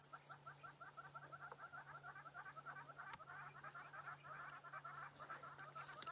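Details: Hornbills calling unseen from a tree at sunset in the Sabi Sand in late October give a fast series of hollow, clucking notes, about three per second, swelling louder toward the end over a steady low engine hum.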